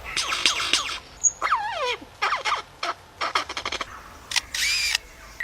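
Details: A lyrebird, a mimic of many sounds, runs through varied mimicked sounds: rapid clicking bursts, a swooping descending whistle, sharp repeated snaps and harsh hissing bursts, changing every second or so.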